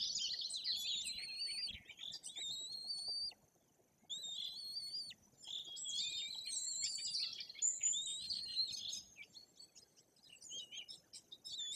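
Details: Nearly three-week-old white-tailed eagle chicks fed at their nest in the Bory Tucholskie forest, Poland: repeated high, thin, down-slurred whistled peeps in bursts separated by short silences, mixed with scattered chirps of other birds.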